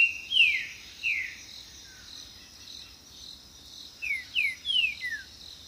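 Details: Green-winged saltator singing, a song used to attract mates, defend territory and communicate with others of its kind: loud, clear descending whistled slurs, two near the start and a quick run of four near the end, over a steady high insect drone.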